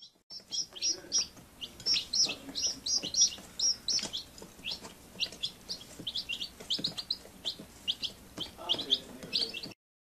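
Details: Chick peeping with rapid, high, thin chirps, about one a second, some in quick pairs, steady through the recording; a few faint lower clucking sounds near the end.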